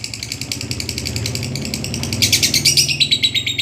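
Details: Lovebird giving the long ngekek panjang chatter for a training recording: quick, high, buzzy repeated notes over a steady low humming background, growing louder and sharper after about two seconds.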